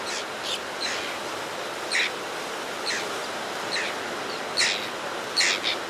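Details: White-fronted tern adult, recorded close, arriving at a nesting ledge with food for its young: scratchy, grating call notes and a few high squeaky accents, roughly one per second, irregular, with steady natural background noise.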